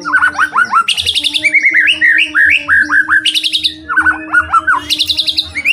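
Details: Energetic white-rumped shama lure song to get other shamas singing: rapid phrases of short up-flicked whistles alternating with high rattling buzzes, repeated several times, a low steady tone behind.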